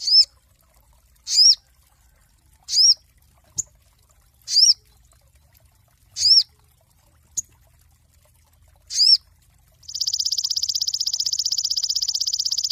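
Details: Cinereous tit master song for training songbirds: a steady series of bright, upswept chirps repeated roughly every 1.5 seconds, with a few tiny clicks between, ending in a fast, buzzy, high rattle.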